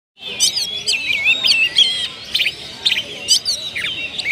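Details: Kacer, an oriental magpie-robin, kept as a cage bird, delivering its full mimicked repertoire (isian) as a lure song: a dense, continuous stream of varied whistles, sharp chirps and quick trills, shifting pitch constantly with barely a pause.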